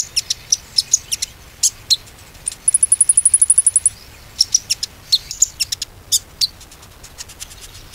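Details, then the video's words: Lure recording of konin song meant to restart stalled birds: scattered high chirps, then a rapid, level, metallic trill of about a dozen notes lasting over a second, followed by more bright chirps and ticks. "PANCINGAN KONIN ‼konin macet pasti gacor kembali"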